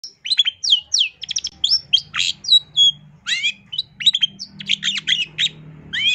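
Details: Long-tailed shrike (cendet) in full gacor masteran song with isian: quick succession of downward-sweeping whistles, fast trills and rough chirps, continuous and varied throughout; faint low hum behind.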